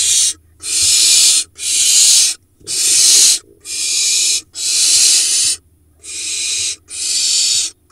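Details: Barn owl family in a nest box in Israel's Hula Valley, June 2021, young hatched 8 June. Loud, rough, snoring-like hisses repeat about once a second in eight separate bursts, each with a short silent gap.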